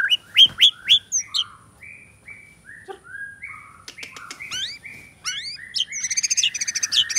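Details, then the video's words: Champion caged white-rumped shama (murai batu), a fighter-type contest bird singing in bowing style from an iron perch, imitating other birds; loud whistled notes open, then a long varied chain of slurred whistles, twitters and a fast rattling trill. "Murai Batu Juara Gaya Sujud Bongkar Isian Cililin, Kenari Tembakan Gereja Tarung"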